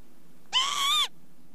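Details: Northern lapwing giving a single wheezy, harmonic-rich call about half a second long. It rises slightly, holds, then drops sharply at the end, against quiet low background hum.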